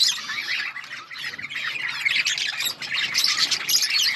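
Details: Budgerigars in an outdoor colony chatter continuously, overlapping harsh squawks and bright chirps forming a busy, high-pitched babble.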